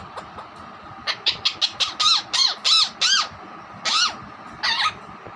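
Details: Pet Alexandrine parakeet (raw parrot), a mimic of hen sounds, whistling and words. Here it gives a rapid run of harsh, arched squawks, several close together, then two louder separate screeches after a short pause.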